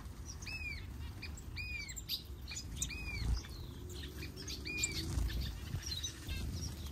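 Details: A Senegal (northern yellow) white-eye in a large outdoor aviary gives thin, high arched chirps about once a second, with other soft twitters over a low rumbling background.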